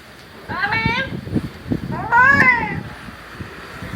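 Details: A pet talking parrot, possibly an Indian ringneck, named Mithu and described as new and very scared, gives two drawn-out, harmonic, voice-like utterances about a second and a half apart, the second louder and rising then falling, over a soft hum.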